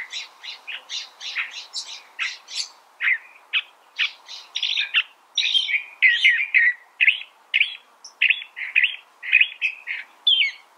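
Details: Continuous California thrasher song: high, rapid phrases at first, then lower, varied chattering and whistled notes, each phrase different from the last, roughly two per second throughout.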